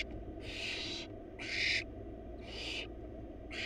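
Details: Wild barn owl chicks, four young in a monitored nest box, begging while their mother feeds them a large rabbit; harsh broadband hissing screeches about half a second long, repeated roughly every second over a steady low hum.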